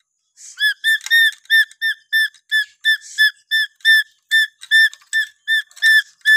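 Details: Natural whistling of a Papuan lory, locally called nuri paltem: a steady series of short, bright, slightly rising whistled notes with strong overtones, about three per second throughout, with occasional soft hissy bursts between them.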